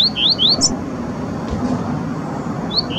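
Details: Wild double-collared seedeater song: a few quick rising whistled slurs at the start, a pause, then two more, with constant low background rumble.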